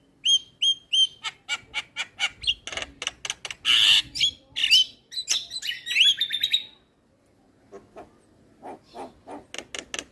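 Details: Javan myna song used as training material for other mynas, the bird singing hard and bobbing: repeated whistled upslurred notes, a fast series of clicks and harsh bursts, then a pause and softer rhythmic notes.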